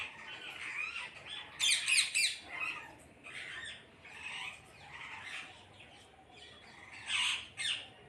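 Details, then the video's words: Several parrots calling together in a group. Scratchy squawks come in quick uneven bursts, with a loud rapid cluster near two seconds and another near seven. "கூட்டமாக கிளிகள் சத்தமிடுகிறது"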